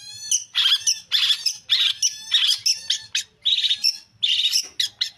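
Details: Energetic song of a long-tailed shrike: loud, rasping, scratchy phrases in rapid clusters with brief gaps, mixed with short, high, squeaky whistled notes, continuing steadily throughout without other noticeable sounds.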